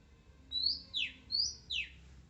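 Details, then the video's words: Wild Oriental magpie-robin, described as shy yet singing on: two phrases, each a bright rising whistle sliding into a sharply falling buzzy sweep, repeated about a second apart over a low background hum. "SUARA ASLI KACER ALAM LIAR"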